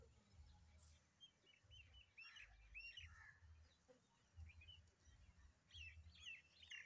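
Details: Myna in the desert of south Punjab, Pakistan, calling with varied chattering whistles and squeaky notes in irregular bursts over a steady low rumble of wind or traffic.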